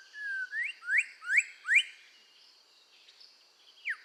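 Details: Red-whiskered bulbul song for voice training: four loud rising whistled slurs about half a second apart after a flat whistle, then quiet, ending with one falling note.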